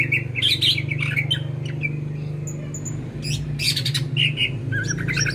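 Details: Greater green leafbird in full, chatty song: scattered bright chirps, squeaks and brief trills over a constant low droning hum.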